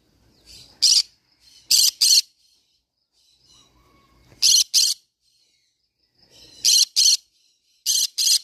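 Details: Green-cheeked conure calling loudly: a lone shrill screech, then several tight pairs of grating bursts separated by pauses of one to two seconds.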